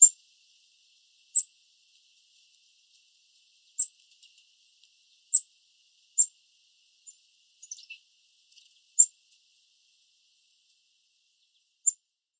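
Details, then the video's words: Black-capped chickadee, hidden in a bush in Southern Ontario, Canada, making very quiet chirps: brief high chips at irregular intervals of one to three seconds, with a short cluster of softer descending notes midway. "Soft Chickadee Call"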